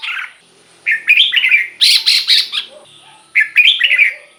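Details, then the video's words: Caged red-whiskered bulbul song played to excite other caged birds: loud bursts of warbled, chirping phrases around a bright whistled tone, each burst about half a second to a second long, repeated with short pauses. "เสียงนกกรงหัวจุก สำหรับต่อ หรือ เปิดให้นกคึก เสียงเพราะๆ"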